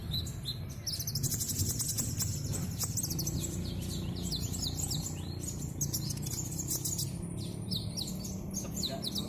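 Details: Caged Van Hasselt's sunbird singing vigorously with mimicked fill-in phrases: a continuous rush of sharp, high chirps, squeaks and fast twitters, with a low rumble underneath.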